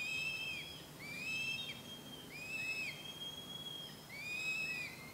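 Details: Two hungry fledged juvenile northern goshawks beg with high, drawn-out, arching wailing whistles, about once a second and overlapping, as an adult arrives with food at the nest. The young are still fed there while learning to hunt.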